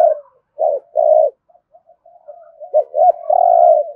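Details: Rolling thổ rền coos from a spotted dove in thúc gù style: a short note and a long throbbing coo, a pause with faint soft notes, then a looping double note and a sustained coo.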